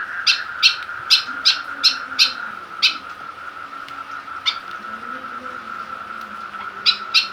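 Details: White-breasted woodswallow provoked with a plastic bottle to attack, a burst of harsh chirps, a pause with scattered single notes, then chirping resumes; steady hum underneath.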